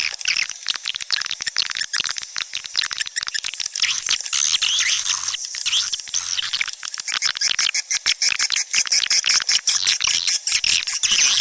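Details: Swiftlets in a dense, continuous chorus of high, sharp chirps and clicks, rapid and overlapping for the whole stretch, with a faint low hum underneath.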